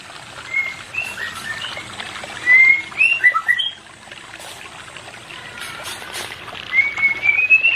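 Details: Sparse white-rumped shama song for a pair not in breeding condition: thin whistled notes, a louder cluster of sharp slurred whistles midway, then quiet, ending in a rising run of short whistles.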